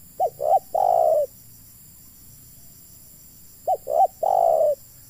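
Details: Decoy spotted dove for luring wild doves into a trap, giving two coo phrases roughly three and a half seconds apart; each opens with two short notes and ends in a sustained, mellow coo.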